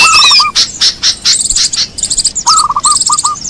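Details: Small birds calling for luring: a low chattering series at the start and again near the end, separated by loud high chirps and quick buzzy trills.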